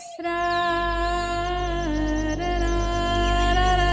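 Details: Music with a sustained hummed or sung drone over layered harmonic tones, continuous for the whole stretch, with no animal calls.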